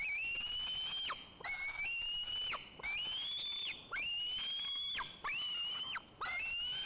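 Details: White-tailed eagle young at the nest in Lower Kama National Park, Tatarstan, begging the parent for fish: a steady run of high, thin whistled squeals, each rising then dropping sharply, about one per second, over a faint hiss.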